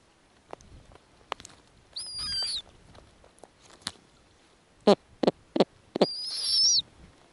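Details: Snowy owl nest in the Arctic, with a female feeding tiny nestlings while the last egg begins to hatch. Two high, wavering squeals, each under a second, are separated by scattered taps and a quick burst of four sharp clicks.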